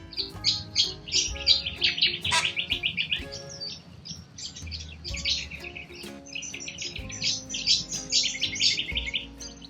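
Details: Wild corella cockatoos in Australia: a flock gives a stream of short, high chirping calls in quick irregular bursts, with a pause mid-way, over soft steady background music.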